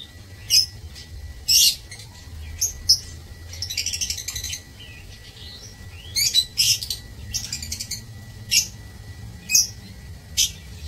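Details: Aviary lovebirds, March 2024, making scattered sharp high chirps and brief squeaky bursts spaced a second or so apart, with a short softer twittering run in the middle.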